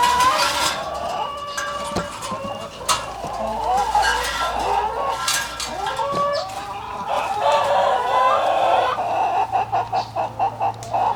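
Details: Four roosters crowing at the same time in a backyard chicken coop on an urban homestead in Johannesburg: overlapping loud drawn-out crows merge into a dense din, ending in a run of quick pulsed notes.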